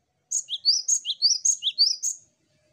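A cinereous tit sings a quick, high phrase of sharp whistled notes, each dipping lower and bouncing back up, about four times in two seconds.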